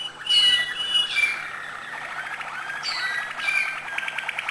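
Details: Malinois canary singing acute notes: high clear whistled tones and a fast trill, with short rolling phrases repeating at a steady pace.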